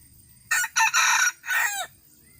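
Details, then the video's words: Red junglefowl crowing in 2018 with a clear, loud four-phrase crow: a brief opening note, a second short note, a sustained strident stretch, and a last syllable falling away at the end. The background is otherwise quiet. "Qaib dib qua tau zoo heev"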